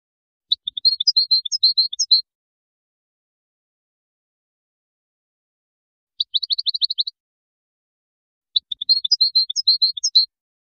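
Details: Widani-style song from an authentic Moroccan European goldfinch, 2019: two long twittering phrases of varied high chirps framing a tight burst of rapid identical notes, separated by several seconds of silence.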